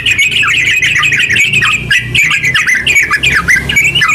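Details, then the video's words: Long, rapid, continuous song from a yellow-vented bulbul, played to stimulate other bulbuls to sing. Chattering, liquid notes with frequent upward flicks run unbroken, with a steady low hum underneath. "TERUCk gacor ropel panjang buat pancingan terucu biar bunyi"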